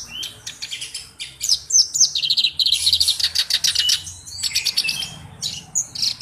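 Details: Black-browed reed warbler in full song, used for tutoring other songbirds: quick runs of high, clicking chatter repeated several times a second, broken by a brief pause before more sharp squeaky notes.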